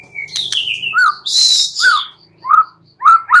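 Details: Night song of a white-rumped shama: a falling whistle, a loud hissing burst, then short, clear, down-slurred notes repeated about every half second.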